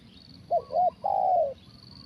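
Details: Big-voiced 'kuk satu' style call of a spotted dove during decoy trapping: a quick pair of short hooting notes followed by a drawn-out level coo lasting about half a second, over faint low background noise.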